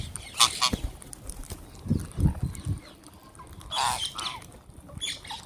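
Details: Wild green parrots at feeding time give a few loud, harsh squawks with ringing overtones, spaced a few seconds apart, mixed with dull low thuds and handling noises.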